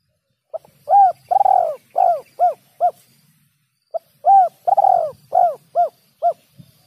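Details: Bird-trapping lure call of a spotted dove, two full phrases back to back: a short opening note, a long vibrating coo, then three crisp rounded hoots, each phrase lasting about two and a half seconds.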